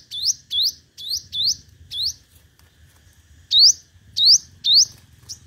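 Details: Five-coloured sunbird singing competitively as a trapping lure. A quick run of rising upswept notes is followed by a short pause, then three more loud swept notes.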